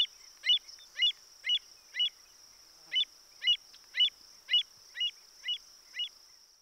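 American Avocet giving a steady series of sharp, ringing kleek notes, about two a second, over a constant thin high hiss.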